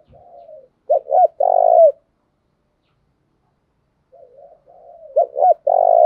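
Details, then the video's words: Spotted dove cooing, a dove whose voice is being trained: a soft low lead-in, two short coos, then a longer drawn-out coo, the phrase given twice in six seconds. "Tiếng cu thúc gù hay, Luyên giọng cu gáy"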